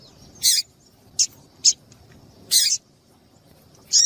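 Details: Female double-collared seedeater call used to get a male singing: five short, bright, high chips in quick irregular succession, some slightly longer and buzzier, over a quiet background.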